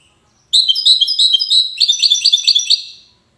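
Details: European goldfinch from Safi, Morocco, singing in the widani style: a rapid run of bright, tinkling, twittering notes for about two and a half seconds, speeding into a denser buzzy trill before fading out.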